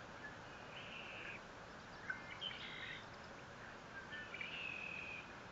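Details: Live nest camera at Fort St. Vrain, nest 57 feet up, 21 April 2024: a bald eagle utters several high, whining whistled squeals with overtones, some with quick short inflections, against steady noisy hiss.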